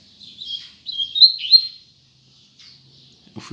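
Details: At dawn, a double-collared seedeater delivers a quick, high, warbling phrase of twisting whistled notes, then a short pause, a faint chirp and a soft knock at the end.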